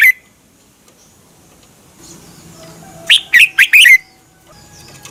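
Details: Red-whiskered bulbul song recorded in Thailand for caged birds to learn or get excited by: a lone clipped note, a soft hum, then a phrase of four quick sliding chirps ending in a falling whistle.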